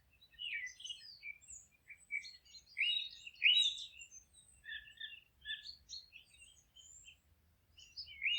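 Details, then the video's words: Quieter forest bird chorus: scattered high chirps, short whistles and twittering notes from several birds overlapping irregularly, over a faint low background rumble. "Forest relaxing sounds of singing birds"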